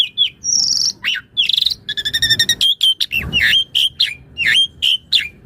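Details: Asian pied starling song for master training and luring other starlings; buzzy trills, rapid stuttered clicks, then regular whistled notes repeated about twice a second.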